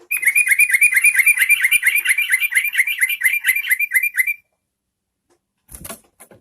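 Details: Yellow-vented bulbul pouring out a long, fast, regular chatter of bright notes for over four seconds to provoke other bulbuls to sing, followed by a pause and brief rustling.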